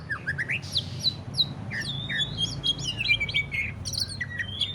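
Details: Lively ngentrok song of a greater green leafbird, used to encourage other leafbirds to sing: short rising chirps, a raspy burst, then a run of piercing whistled slurs and rapid chatter with almost no gaps.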